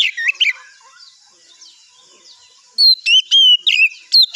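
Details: Oriental magpie-robin singing in the morning as a lure to draw replies from other birds: short bursts of clear, bright whistled notes, some sliding and some slurred, in a quick jerky phrase after a quiet pause.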